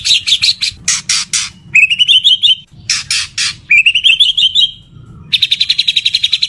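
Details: Male white-rumped shama courting a female, mating song. Fast trilled rattles and loud harsh bursts alternate with bubbling rising whistled trills, then a long rapid ticking rattle.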